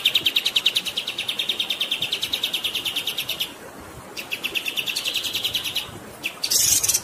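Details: A kapas tembak sings long and rolling: a fast, steady string of high pulsed notes, a short pause, then a second string ending in sharp, shrill buzzy bursts.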